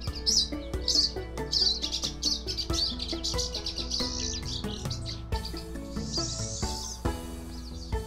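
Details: Pine Siskin singing a rapid, high twittering run of short chirps for about five seconds, then a drawn-out buzzy wheeze, over steady background music with sustained melodic tones.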